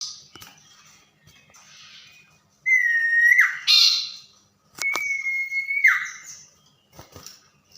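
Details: Tame common iora singing actively at night: two long, steady whistled notes held near one pitch, each ending in a quick downward slur, separated by short quiet gaps with faint clicks.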